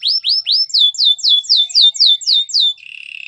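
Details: Canary song meant for training canaries. About ten loud, clear whistled syllables repeat evenly, roughly four per second, each dropping sharply in pitch. A soft, fast buzzy trill follows at the end.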